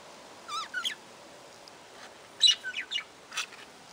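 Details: Budgerigars calling: short warbled chirps with quick up-and-down frequency wiggles, a burst near half a second, then a cluster of sharper chirps and a buzzy note around two and a half to three and a half seconds, over quiet hiss.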